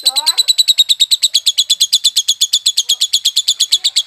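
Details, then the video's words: Untrained violet lovebird delivering konslet song: a steady, machine-gun run of sharp high pulses, about seven per second. A brief lower squeaky slur opens the run, and the rest holds an even pitch throughout. "Lovebird ungu violet konslet masih bahan"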